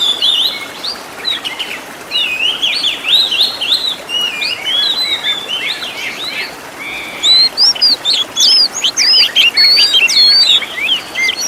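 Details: Oriental magpie-robin song used as a master recording to teach songbirds luxurious fill-in phrases: fast twittering chatter at first, then clearer looping whistles and sharp upslurred notes in quick succession toward the end.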